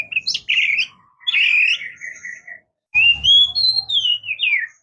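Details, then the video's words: Oriental magpie-robin, known locally as murai kampung or kacer, singing: clear whistled phrases, wavering and slurred, with a pause before a bright rising-falling whistle, and a faint low rumble. "Oriental Magpie Robin Singing | Suara Burung Murai Kampung | Bunyi Kacer"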